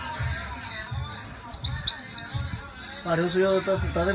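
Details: Saffron finch song recorded in La Guajira, Colombia: about three seconds of dense, high twittering chirps in quick groups, followed by a man's voice speaking Spanish.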